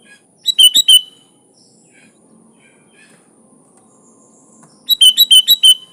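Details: Sooty-headed bulbul singing a quick bubbly phrase of four whistled notes, then after about four seconds of near-silence with faint distant chirps, a longer run of six rapid liquid notes.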